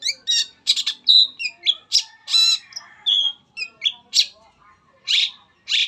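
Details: Mixed, chattering song of a long-tailed shrike played as a lure for other shrikes, jumping between harsh scratchy bursts, short whistles and buzzy notes in an irregular, lively sequence.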